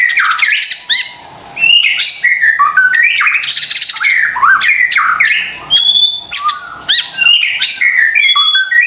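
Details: Lure recording of white-rumped shama song for triggering reluctant caged birds: dense, energetic run of slurred whistles, harsh squawks and rattling notes, almost continuous with short pauses.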